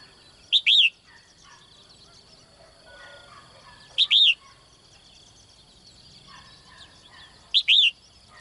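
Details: Caged female bird calling to attract a strong male in the morning: three evenly spaced bursts, each a clipped high chirp and a curved descending whistle, roughly every three and a half seconds over a soft constant hum.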